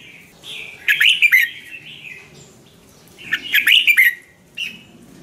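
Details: Red-whiskered bulbul from Thailand singing, a song meant to excite or train caged birds: two short rich warbling phrases of several fast notes, the first preceded by a soft slurred whistle.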